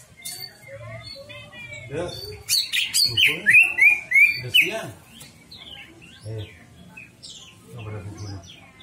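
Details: Greater green leafbird song used to draw out another bird's repertoire: a burst of bright, sharply rising and falling whistles mid-way, framed by softer chirps and low background rumble.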